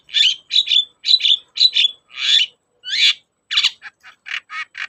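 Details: Long-tailed shrike, lure recording for coaxing quiet shrikes to sing: a series of doubled scratchy chirping phrases, then two broader rasping notes and a quicker sequence of short clipped notes, with no background noise.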